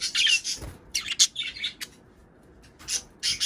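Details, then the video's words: Budgerigar chatter meant to stimulate breeding and egg-laying; a loud scratchy warble opens the clip, then harsh chirps and clicks, a near-silent pause, and two more rasping bursts at the end. "صوت بادجي طيور الحب للتزوج"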